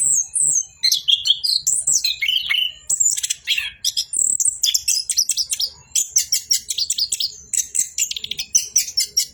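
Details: Orange-headed thrush (Geokichla citrina), song.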